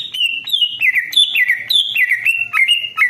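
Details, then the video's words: Greater green leafbird in full song, played as a lure so other leafbirds answer: a rapid, continuous warble of bright whistled notes sliding up and down and repeating in quick, varied phrases. "CUCAK IJO DI JAMIN BUNYI DAN LANGSUNG NYAUT"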